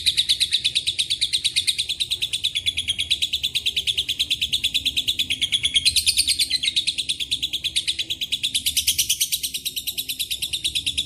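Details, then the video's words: Extended lovebird ngekek mixed with Cililin and canary phrases. A fast, shrill rattle continues without a break, with brighter, sharper bursts near six and nine seconds. "LB NGEKEK PANJANG ISIAN CILILIN & KENARI"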